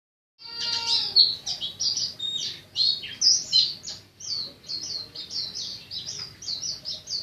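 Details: Oriental white-eye in the loud open-beak stage, singing its native forest-style song: a fast, varied run of high chirps and short twittering phrases, loud and continuous, several notes each second.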